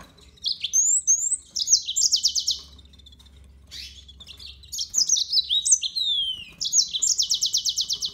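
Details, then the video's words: Two bursts of yellow-fronted canary song split by a quiet pause, each mixing high whistled slides with rapid chattering trills, the second ending in a long, even, fast trill. "ياسمين موزمبيق كبيس كناري"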